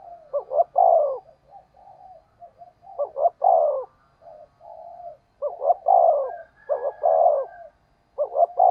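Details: Spotted dove cooing in the 'thúc gù' pattern, used to train decoy birds and excite them: dense run of low hollow phrases, short stuttered notes leading into longer falling coos, with soft murmuring coos between.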